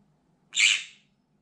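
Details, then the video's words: One short, raspy, explosive scream from a caged pet green-cheeked conure reacting to activity outside the window. The shriek rises sharply and then fades, with only a faint low hum behind it. "Desperate and LOUD Screams of Green Cheek Conure Parrot"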